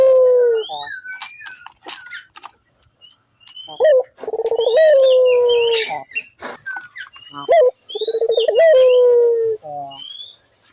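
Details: Used to get other doves calling, a Barbary dove gives low rolling coos in spaced phrases, each stuttering then sliding down, while other birds whistle brief high upward-slurred notes.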